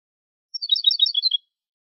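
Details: Goldfinch song recorded in Málaga in 2020 for training and contests: one quick run of tinkling, bell-like high twitters lasting under a second, with silence around it.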